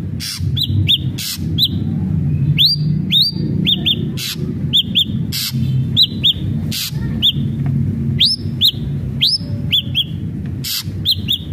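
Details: Song of an ashy drongo intended to get a captive bird singing; steady stream of short arched whistles and rising upslurs over nearly twelve seconds, punctuated by frequent sharp clicks and a low rumbling background.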